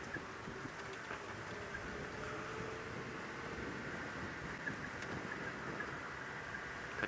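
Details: A steady broadband rumble like a running vehicle engine with wind, and no clear animal voice.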